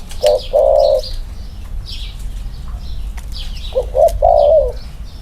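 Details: Two male spotted doves being compared, one with clipped wings. A short note and a long buzzy coo, a pause, then a stuttered phrase ending in a wavering drawn-out coo, with faint chirps above.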